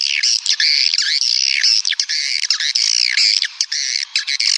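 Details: Swiftlet lure call, a dense continuous chorus of harsh chirping and twittering notes, overlapping and unbroken throughout with only brief gaps.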